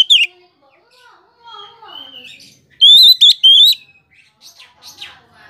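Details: Oriental magpie-robin song meant to make other magpie-robins respond: a brief high note, quiet twittering, then a loud burst of three bright, steady whistles in close sequence, with faint chirps after.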